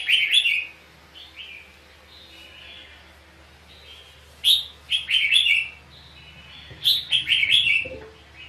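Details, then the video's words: Decoy red-whiskered bulbul singing in a fight: loud chirpy phrase at the start, then quieter soft notes, followed by two strong bursts of quick warbled whistles. "chào mào cực đẹp hót cực hay đánh nhau cực khủng"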